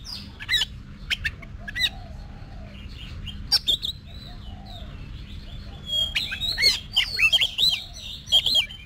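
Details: Oriental magpie-robin being voice-trained for singing competitions in Vietnam: scattered sharp clicks, then a burst of varied high whistled and slurred notes near the end, over a low steady hum.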